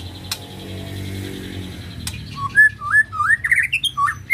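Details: Provoking song of a white-rumped shama, used to stimulate emotion: after a stretch of low hum with two sharp clicks, a quick run of rising and falling whistled notes begins and grows louder.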